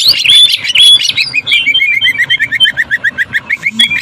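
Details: Greater green leafbird in loud jamtrok song with tembakan and a sewing-machine sound: bright opening whistles, then a rapid mechanical-sounding stutter of identical short notes, about five per second.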